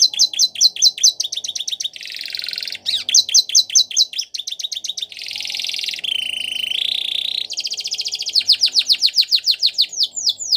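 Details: Belgian canary singing, recorded to help train canaries: fast trains of downslurred notes, broad buzzy passages and warbled phrases, ending in a long run of rapid, evenly repeated notes.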